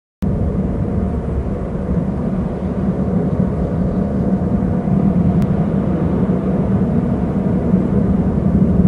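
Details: Steady low vehicle or engine rumble fills the whole recording, with no animal call standing out.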